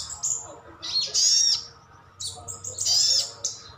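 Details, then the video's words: Captive sogon, sogok otong or sriganti sunbird calling to provoke other birds to reply: two clusters of loud, high scratchy chirps with a thin whistled slur, separated by a quiet pause. "Suara panggilan sogon/sogok otong/sriganti pasti nyaut."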